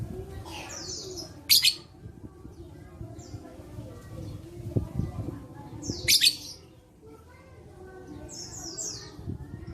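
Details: Lovebird sounds for stimulating reluctant lovebirds to sing: loud harsh screech bursts about every four to five seconds, separated by quieter high chirping notes and faint low background noise.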